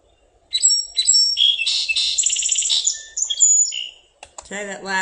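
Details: Song Sparrow song played from a recording, with two or three heavily accented notes before less predictable ones: high, sharp, quick notes running into rapid buzzy trills for about three and a half seconds, followed by a man's voice speaking.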